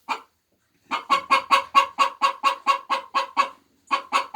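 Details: Egg-laying hens give a single cluck, then after a pause a steady train of clipped, nasal clucks, about two per second, briefly breaking off before resuming.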